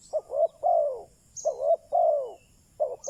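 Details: Close spotted dove decoy call meant to attract wild doves, a short note followed by a rising coo and a long falling coo, repeated twice, with a tiny high chirp in the background.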